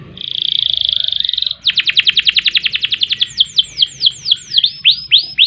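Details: Canary giving a steady whistled tone, then a rapid series of sharp vertical notes slowing into repeated downward-sweeping slurred whistles.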